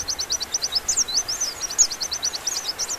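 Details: Velvet-fronted nuthatch singing a fast series of high, clipped notes mixed with short upslurred and downslurred chirps, tumbling together almost without pause over faint background hiss.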